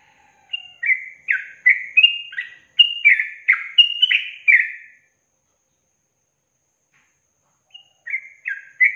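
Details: Yellow-vented bulbul long trill from a songbird training recording: a lively run of about fifteen bubbly, downslurred whistles over four seconds, a gap of silence, then a short resumed phrase.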